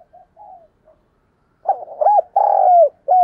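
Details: Decoy spotted dove calling to lure other doves: faint soft murmurs first, then loud clipped hooked coos followed by a long level coo that bends downward, and another note starting at the end.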